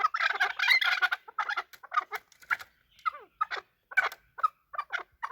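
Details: Chukar partridges calling while fighting, loud chattering clucks at first, then spaced harsh chuk notes with a few squealing downslurred cries, repeated roughly twice a second.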